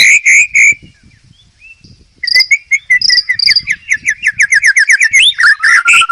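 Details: Murai batu, or white-rumped shama, in hard master song: three strong whistled notes, a quiet gap, then a quick run of repeated chirps, about four a second, ending in a rising flourish.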